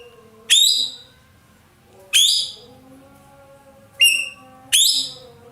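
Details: Roller, the ekek keling of Indonesia, giving loud calls: four sharp, ringing notes with a harsh edge, each sliding downward, spaced one to two seconds apart, with a faint low hum behind.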